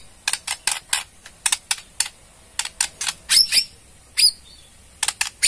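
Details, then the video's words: Ketrekan of a Borneo white-rumped shama, a chattering call meant to trigger a response: irregular dry, clicking rattle notes in small clusters with a couple of thin, high whistled flicks. "KETREKAN MURAI BORNEO"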